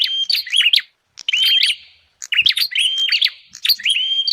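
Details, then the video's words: Bar-winged prinia calls used as a lure to gather wild birds: loud bursts of clipped chirps ending in a held whistled note, three phrases separated by short silences. "Suara pikat burung prenjak paling ampuh"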